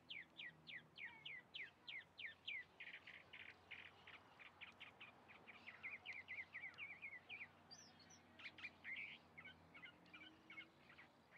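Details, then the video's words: Chalk-browed mockingbird pouring out a fast, scratchy chatter of repeated short notes, roughly three or four per second, shifting into trilled phrases and a few higher squeaks. "Calandria cantando"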